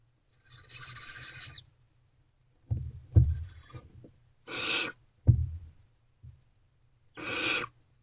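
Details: Barn owls in a nest box during night-time food deliveries, 28 February 2024: four long, breathy, hissing screeches spaced a second or two apart, mixed with low thumps and bumping of movement inside the box.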